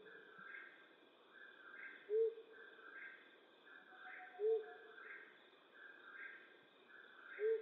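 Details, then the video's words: Flammulated owl hooting at night in western North America: single low, soft hoots spaced about every two and a half seconds, three in total, over a steady pulsing insect-like chorus and a constant high hum. "Flammulated Owl Hooting"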